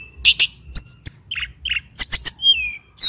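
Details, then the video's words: Male mountain tailorbird from Banyuwangi in vigorous song: bursts of harsh high chips, clear whistled notes, a pair of buzzy trills, then a falling whistle, with soft low rumble behind. "Suara Tledekan Gunung (SULGUN) jantan GACOR"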